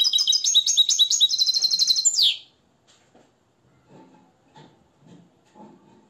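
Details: European goldfinch from Morocco, nest-raised and schooled in the limpio song, giving a quick tinkling run of twittered notes that ends in a brief rising flourish, then soft scattered indoor sounds.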